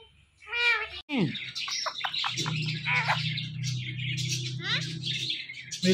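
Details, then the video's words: Indian ringneck parakeet, a talking green parrot, giving a short voice-like harmonic utterance, then a run of sharp chirps and clicks with raspy squawks over a steady low hum. "Indian Ringneck Parrot Natural Sounds"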